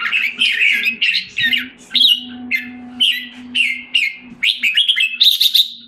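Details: Caged red-whiskered bulbul in Singapore, July 2017, regaining health and form after a drop: bright warbled phrases of short rising and falling notes, given in quick bursts about every half second, with a faint steady low hum behind.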